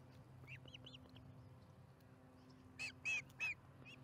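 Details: Osprey at the Charlo nest during dinner, 15 July 2019, 4:30pm MDT. Faint, quick whistled chirps give way to three louder harsh squeals near the end, over a steady low hum.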